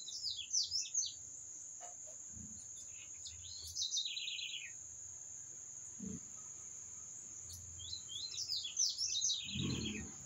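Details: Bird song in several bursts of rapid, sharp, descending notes, separated by pauses, with a constant shrill background tone and a few low thumps.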